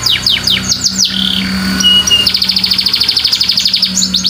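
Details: Canary song from a white canary: quick descending sweeps, a brief pure whistle, then a long fast trill of evenly repeated notes at high pitch; low background hum throughout.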